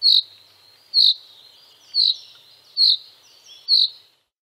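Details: Common chaffinch giving short high call notes about once a second, five in all, each with a brief sharp upper note, with faint outdoor background.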